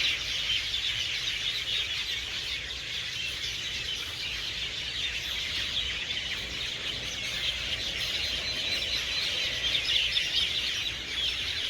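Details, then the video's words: Hundreds of birds gathered at dusk to roost in garden trees, filling the air with a dense, continuous, high chirping chorus that echoes steadily without pause. "Evening Song of the Birds"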